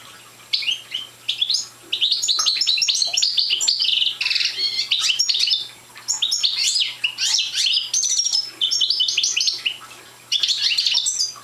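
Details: Young European goldfinch of the Parva subspecies, not yet in full song, singing a rapid twittering run of bright high notes, buzzy trills and short whistles in bursts separated by brief pauses, in a quiet indoor setting.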